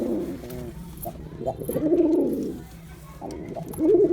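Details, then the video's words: Male Girabaj pigeon displaying, producing a series of low, throaty coos of varying length, the last one wavering and louder. "Pigeon Sound Effect || Male Pigeon Super Performance || Girabaj Pigeon"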